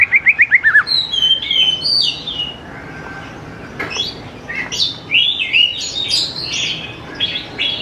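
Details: Greater green leafbird song used as a lure to get young birds singing; a fast series of short descending notes, then varied chattering and slurred whistles at mid-high pitch over a faint hiss.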